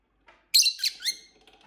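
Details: Several pet lovebirds indoors, playing and fighting, one giving a loud shrill chirp followed by two quick descending squeaky notes.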